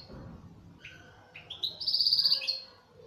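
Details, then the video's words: Local Algerian European goldfinch of the 'sector' type, a kept bird, singing: twittering chirps between low and high notes that build into a fast, buzzy, high trill, with faint low background noise. "تغريد حسون محلي جزائري ( تاع سيكتور )"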